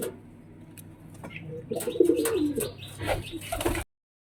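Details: Domestic pigeon gives low, throaty, rolling bubbling coos while chasing off a newcomer and pairing up ahead of egg-laying, with a person talking.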